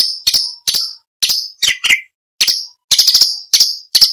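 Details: Orange-bellied leafbird delivering sharp, crackling chirps and a couple of lower falling notes, then a fast rattling burst, as song material for training shamas, green leafbirds and magpie-robins.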